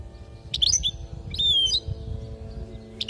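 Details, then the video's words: European goldfinch from Palestine singing a training phrase for young birds: twittering notes, then a long clear whistle sliding downward, then another brief twitter, with a low hum and some rumble beneath. "حسون لغة للتعليم"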